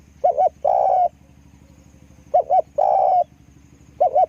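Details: Decoy spotted dove cooing, double short notes then a prolonged coo, repeated twice and beginning a third, over a buzzing low background drone.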